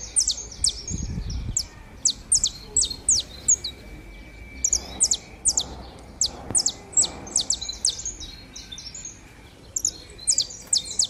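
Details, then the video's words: A pair of saffron finches warming up: high, sharp descending chirps given in quick irregular bursts, with short pauses between runs and a faint steady tone underneath. "casal de canário da terra #esquenta"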